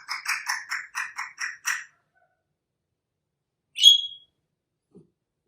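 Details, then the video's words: African grey parrot, a young rehomed pet, giving a rapid series of about eight harsh pulsed chirps, then after a pause a single sharp high whistle note. "My 1 Year Old African Grey Parrot Making Sounds"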